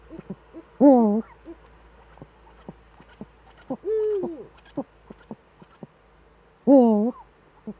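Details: Both Eurasian eagle-owls back in the Eifel at 18:47 on 11 March 2013: three loud rasping arched wails, the middle one smoother and longer, with sparse short clicks and yelps between them.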